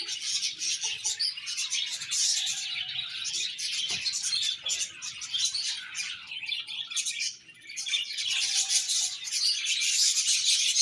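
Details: Many budgerigars in a happy colony chatter at once: busy, high twittering that rises and falls in intensity, dipping briefly near the middle before swelling again, with faint tonal whistles mixed in.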